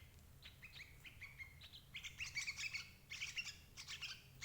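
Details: Sooty-headed bulbul calls used to lure adult birds: soft separate slurred chirps that build into two loud bursts of bubbly chatter.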